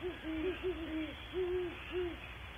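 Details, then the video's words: Great horned owl calling at Audubon Starr Ranch, California: a run of deep, soft, mellow hoots, several overlapping at two slightly different pitches, over a steady low background hum. "One minute of Great Horned Owl calls"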